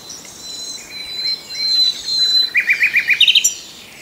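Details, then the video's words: Common nightingale song beginning with drawn-out soft whistled tones, then a quick series of about six loud, evenly repeated notes ending in a rapid high flourish. "The best Birdsong movie ever starring the Common Nightingale"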